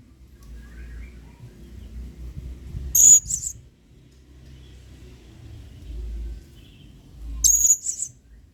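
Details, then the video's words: Blue-crowned hanging parrot, an adult male performing emotive 'main singa' singing for use as a training model: two short, piercing, very high squeaks, each followed by a softer echo note, spaced about four seconds apart against quiet background hum. "MASTERAN WAJIB !! BURUNG SERINDIT GACOR PENUH EMOSI MAIN SINGA."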